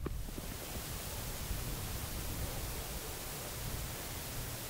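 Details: Steady broadband hiss like wind or static runs throughout, with no animal calls.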